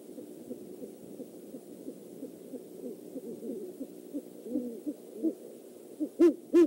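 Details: One of a great horned owl pair, male and female, on an overnight nest visit at the Decorah eagle nest, 12-17-14: faint, soft low hoots scattered through the clip, ending with two louder, firmer hoots close together.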